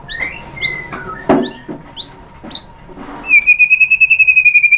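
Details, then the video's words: White-rumped shama song used as a lure to prompt other shamas to answer and sing: sharp rising chirps and short whistles, then a fast, even, buzzy trill held for over a second at the end. "MURAI BATU jadi Gampang NYAUT GACOR BONGKAR MATERI ¦ PANCINGAN MURAI ¦ SHAMA BIRD"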